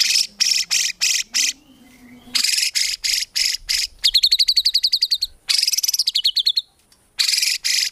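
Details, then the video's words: White-rumped shama singing a rapid-fire style without gurgling notes, meant for training songbirds: loud harsh buzzy bursts in series, broken by a fast rising trill of bright notes and a sweeping slurred phrase. "MURAI BATU GACOR FULL ISIAN TEMBAKAN MEWAH GAK ADA NGUKLUK NYA"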